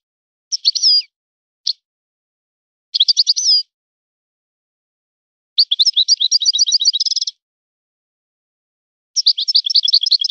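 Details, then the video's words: Kept European goldfinch singing in a learned style copied from another keeper's birds. It gives bright, liquid, high twittering phrases in bursts of half a second to nearly two seconds, separated by silences. One longer phrase is a rapid trill. "طائر من طيور لي تاتغرد على نمط طيور سي حسن الكلوب ولد الغابة"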